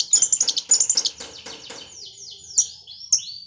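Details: Lovebird imitation from a long-tailed shrike with kapas tembak phrasing: a rapid burst of shrill chattering notes, then several thin, downslurred whistles spaced apart.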